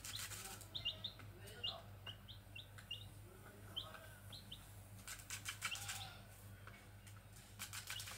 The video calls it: Suara anak ayam liar \ Grey junglefowl (Gallus sonneratii)chicks